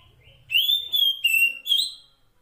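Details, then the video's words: Female kacer poci Oriental magpie-robin, wild, calling a male: one loud phrase of four long, pure whistled notes, each gliding slightly and separated by brief breaks, over a faint low hum. "Masteran Suara Kacer Poci Betina memanggil Jantan"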